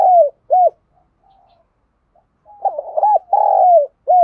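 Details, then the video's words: Spotted dove with a 'đồng pha' style voice, kept as a lure bird to attract wild doves. Loud, low, hollow coos come in short arched notes, then a longer rolling phrase and a final clipped coo. "Chim cu gáy giọng đồng pha dùng kích bổi rất hiệu quả"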